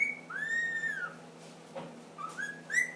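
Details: Ten-month-old pet ringneck parakeet whistling and making funny noises: a long, smooth, arched whistle rising and sinking, a soft pause, then three short upward whistles climbing in pitch; a person speaks Portuguese just after.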